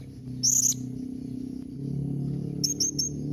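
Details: Calling of a blue-crowned hanging parrot, meant to make other birds reply: a single piercing high squeak early on, then three quick thin chips near the end, with a constant low droning background.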